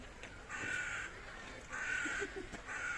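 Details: Humboldt penguins at a zoo in Vienna, Austria, in snow during spring, where the birds swim and dive. Three harsh, buzzy, drawn-out calls of about half a second each, spaced roughly a second apart, over a quiet outdoor background.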